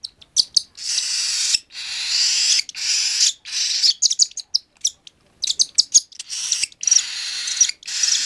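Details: A hand-fed three-week-old baby cockatiel gives harsh, raspy begging calls in rapid bursts while being fed.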